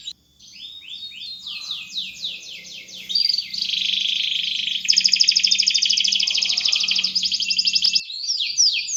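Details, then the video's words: Canary singing energetically, meant as a lure for young birds. Opens with sweeping downslurred whistles, then shifts into long, fast, buzzy rolling trills, with a faint low hum underneath. "SUARA BURUNG KENARI GACOR‼ cocok untul pancingan paud"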